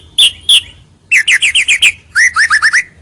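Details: White-rumped shama lure song meant to draw rivals closer: two loud high notes, then a rapid series of clear whistled syllables and a run of rising slurred whistles, repeated in quick bursts.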